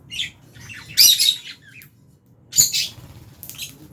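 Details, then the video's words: Fischer's and albino lovebirds at mealtime in an aviary, chirping as they eat; bursts of harsh high chirps and squawks in two clusters, with a few thin squeaks between. "Lovebirds Chirping Sounds"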